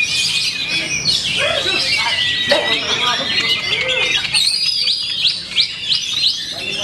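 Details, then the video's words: Contest-winning Oriental magpie-robin singing at a bird competition: quick run of sharp whistles, rising and falling notes and short trills, dense and lively, with male voices talking throughout and the song thinning toward the end. "LAGI TOP PERFORMS !! KACER TERBAIK !!"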